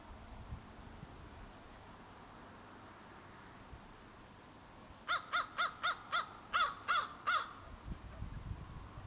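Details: Young crows between fledging and juvenile age, vocal while learning crow language: a run of eight clipped, nasal caws in quick, fairly even succession after a few quiet seconds with low rumbling in the background.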